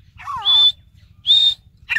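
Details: Sindhi teetar, the grey francolin, gives piercing drawn-out whistles, each roughly a quarter second long, with a scratchy, descending, chattering lead-in before the first. A faint low hum runs underneath.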